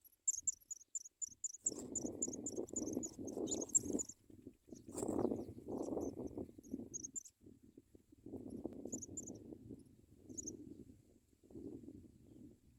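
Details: African pipit chicks begging as their mother feeds them give rapid, very high, thin cheeps in quick series, then scattered bursts, over loud rustling and scraping.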